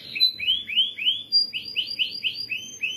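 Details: Canary singing with rapid bursts: a quick series of rising, arched chirps, about four per second, bright and clear, with a few thin high whistled notes above, no other sounds.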